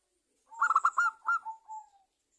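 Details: Zebra dove of a local type, singing freely as a lure recording: a quick burst of rattling staccato notes flowing into a clear, drawn-out cooing note that slides gently downward and fades.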